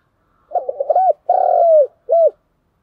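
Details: Fight-provoking coo from a Vietnamese decoy spotted dove: a cluster of quick rising-and-falling notes, a sustained mellow coo sliding slightly downward, and a brief arched closing note, with nothing else audible.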